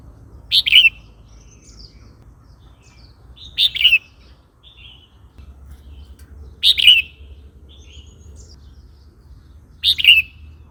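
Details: Red-whiskered bulbul song, used to provoke newly caught and old wild birds or to teach young birds: short bright chirpy warbled phrases repeated about every three seconds, four phrases, quiet low hum beneath.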